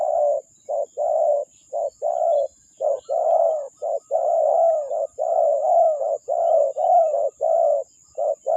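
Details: Lure spotted dove giving a long series of low, mellow coos, each short clipped note followed by a drawn-out purring croon, repeated roughly once a second for over eight seconds.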